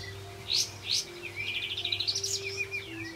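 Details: Olive-backed white-eye song as a lure for silent white-eyes; two high sharp notes, then a fast rolling high trill and slurred whistles, with a steady electrical tone and low hum behind.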